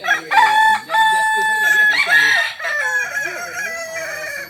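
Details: Kokok Balenggek rooster, native to Solok in West Sumatra, crowing in tiers that can run from three to nineteen levels. Loud and harmonic, the crow breaks into several stepped segments, with a softer wavering tail at the end.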